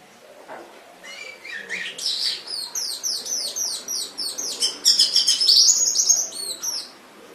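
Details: Canary song used as a masteran tutor recording from Indonesia for training pet canaries: rapid trills of repeated downward-sweeping high notes, about three or four per second, shifting between phrases and ending in a bright, ringing high trill.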